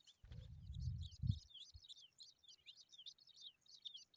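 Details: Skylark babies out in the sun, giving soft high chirps repeated rapidly and unevenly, over two per second, after a low thump and rustle at the start.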